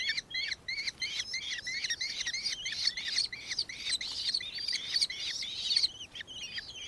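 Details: Nankeen kestrel calling in Victoria, Australia, on 4 December 2024: rapid, high, arched chattering notes repeated several times a second, with overlapping series suggesting more than one bird.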